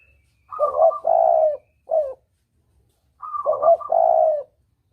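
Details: Clear spotted dove coo used as a hunting lure, double 'kuk' style: a higher rolling note blends into a short coo and a long steady coo, then a brief clipped note; the phrase repeats after a pause.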